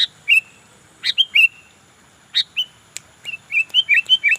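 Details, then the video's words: Sooty-headed bulbul singing energetically: sharp chirps and short falling whistles, ending in a rapid run of five or six bubbling warbled notes. "burung kutilang gacor"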